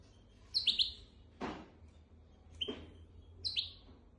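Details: Goldfinch x canary hybrid singing a memorised tutor song used to teach goldfinches and canaries: three bursts of high, bright, downslurred chirping notes, with sharp clicks and knocks between them over a low background hum.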